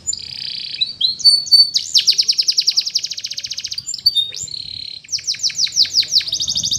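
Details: Training song of a canary: a buzzy held note opens the song, then rapid rolling trills follow, then falling whistled slurs and a final run of quick repeated notes.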